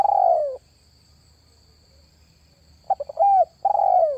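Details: Spotted dove call meant to draw in wild doves: a long falling coo, a pause of two seconds, then rapid short notes leading into arched and drawn-out coos. A faint high whine is constant.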